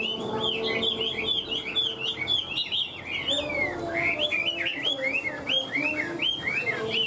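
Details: Rapid, melodious warbling from a caged Hwamei, praised as an excellent singer and fighter: dense clusters of looping whistled notes, then clearer, downward-swooping phrases repeated several times.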